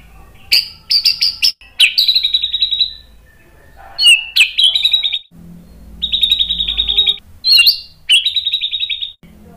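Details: White-rumped shama alternating sharp clicky notes with several long, rapidly pulsed trills held at one pitch, each lasting about a second, with a low hum between phrases.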